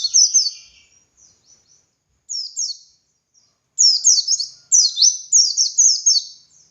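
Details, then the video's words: White-eye (dakun) singing as a master for training other white-eyes: high thin chirps, then short descending phrases growing into long rapid runs of slurred downward notes near the end. "Masteran Suara Burung Pleci Gacor Ngalas Nembak Buka Paruh"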